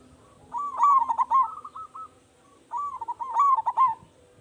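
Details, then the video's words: Loud-voiced local zebra dove used as a lure: two cooing phrases, each a rolling burst of low rounded notes trailing into a steady held coo, separated by a brief silence. "Perkutut Lokal Gacor Suara Besar"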